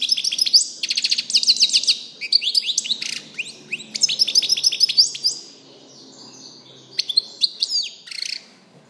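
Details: European goldfinch singing a fast, liquid twittering song of rapid chirps, trills and buzzy notes, delivered in bursts with short pauses, the longest break near the end before a few final sharp notes.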